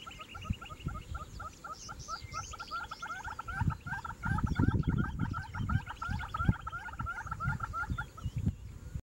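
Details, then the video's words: Northern red-billed hornbill pair gives a long, fast series of hollow clucking notes, several per second, steady and slightly rising, over wind rumble and thumps; display to form a pair bond before the female is sealed in the nest cavity. "Birds dancing to their music to form a pair bond."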